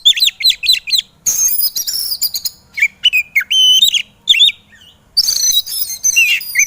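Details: Kacer, the Oriental magpie-robin, in an 'emosi' style training recording used to push lazy birds to sing: quick repeated looping whistles, then fuller bursts of high buzzy trills and rising-falling slurred notes with short pauses.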